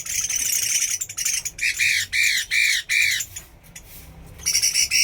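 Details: Chinese hwamei song: harsh rapid notes give way to four or five rounded, arching phrases, a brief lull, then another loud rasping burst.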